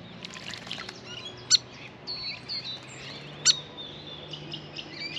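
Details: Grey fantail (Rhipidura albiscapa) at a backyard birdbath, a restless visitor taking a long bath; thin, high squeaky chips and short whistled notes come scattered through, with two sharp, bright high bursts and faint outdoor background noise.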